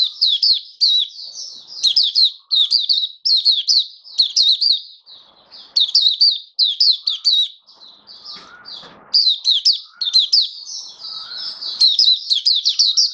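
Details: 'Buka sing raja' song of a hobby mata puteh, or oriental white-eye, recorded 21 October 2022: long sequence of high, rapid chirp bursts in repeated short runs, with a few faint lower notes and clicks behind.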